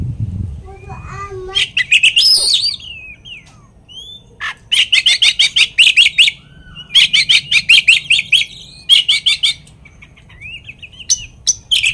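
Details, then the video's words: Oriental magpie-robin song used to make another magpie-robin emotional: bursts of fast, rattling repeated notes in rapid trills, interspersed with short whistled slurs and harsh chatter, with brief quiet gaps between bursts. "kacer materian bikin Kacer lain emosi pancingan burung kaker"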